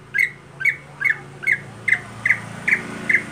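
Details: Contest-kept greater green leafbird in its plain, monotonous daily voice, eight evenly spaced scratchy squawks roughly every 0.4 seconds, each note short and similar, with a quiet low drone underneath.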